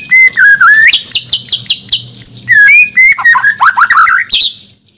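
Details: Caged white-rumped shama of Borneo stock from Banjar, groomed for competition, sings continuously: clear whistled slurs, rapid repeated chips and descending warbled runs, loud and varied throughout.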